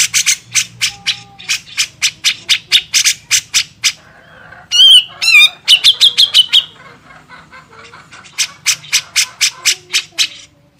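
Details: Grey-cheeked bulbul master recording for training songbirds: rows of harsh, buzzy broadband notes about twice a second, broken midway by a brief burst of sharp whistled, warbling notes, then the harsh rhythmic series resumes.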